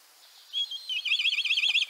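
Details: Central Russian Black Kite uttering a couple of short piping whistles that run into an extended, fast-quavering whinny, each wobble sharply pulsed, the voice dominant over faint background hiss.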